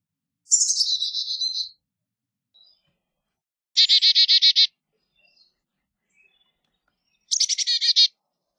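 A Carolina chickadee gives three bursts: high thin opening notes followed by quick, buzzy 'dee-dee-dee' series. The bursts come about three seconds apart against an otherwise quiet background.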